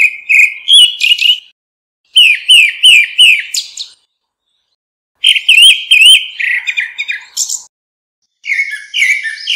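Grey-backed Thrush giving bursts of high, sweet whistled and chirping notes, several quick phrases per burst, with short silent gaps between; no other sounds.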